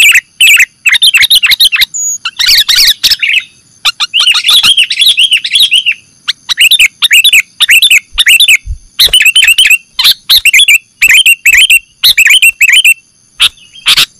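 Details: Sooty-headed bulbul (kutilang) calls on a trapping lure: a long, busy stream of chattering liquid chirps. The notes are clustered in rhythmic groups with brief gaps, and a faint constant high tone sounds behind them.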